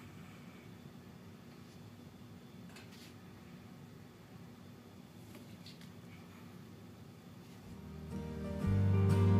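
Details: A low, steady indoor hum runs throughout and swells into a loud, deep droning tone near the end; no animal voice is heard.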